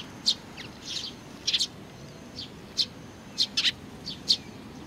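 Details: Sparrows accompanied by a chick give bright, high chirps, single or in fast bursts of two or three, spaced irregularly with brief pauses, against a faint low rumble.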